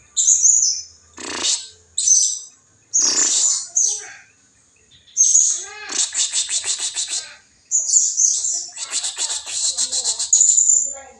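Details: Blue-crowned hanging parrot calls for luring rival birds: dense runs of high, sharp, rapidly repeated chips and thin whistled notes, loud and nearly continuous in stretches with brief pauses.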